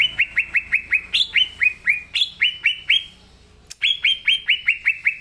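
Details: Green leafbird singing hard: steady trains of crisp, downward-slurred chirps, roughly five a second, broken by a few higher accented notes and one short pause before the series resumes.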